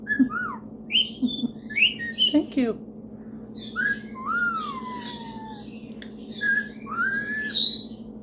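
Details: Indoor male Superb Parrot, showing off singing and mimicking, gives sharp rising whistles, a long falling whistled glide, squawky chirps and speech-like chatter over a steady low hum.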